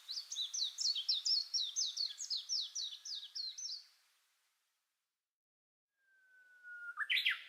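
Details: Small songbird in the Yashio Ikoi no Mori forest on 21 April 2017, singing a fast series of about a dozen bright, down-slurred high chirps, then silence, then a long thin whistle ending in a sharp flourish.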